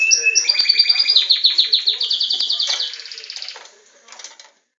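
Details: Captive-bred Belgian canary competing with a playback of its own song: a quick rolling trill of rapid repeated notes that holds steady, then fades into quieter scattered chirps before stopping.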